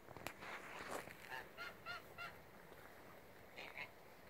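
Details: Goose calls: a series of nasal honks, about four in quick succession mid-clip, followed by a couple more, over a steady background hiss.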